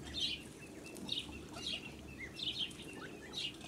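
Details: Blue Muscovy duck with ducklings on a farm in July 2017; a few loud, high chirping peeps at irregular intervals, interspersed with soft rustling and low background hum.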